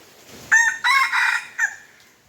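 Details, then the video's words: Red junglefowl crow during luring with a domestic chicken: one loud crow in four parts, a short sharp opening note, two longer harsh rasping phrases, then a brief clipped ending, over faint background hiss. "ຕໍ່ໄກ່ປ່າໝານໄກ່ບ້ານ( ต่อไก่ป่าหมานไก่บ้าน)"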